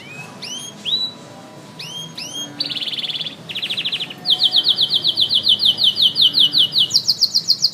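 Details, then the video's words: Canary singing hard, opening with spaced upward-sweeping whistled chirps, then switching to dense rattling rolls and long, fast, even trills that climb in pitch toward the end. "Canary ( chim hoàng yến hót cực căng)"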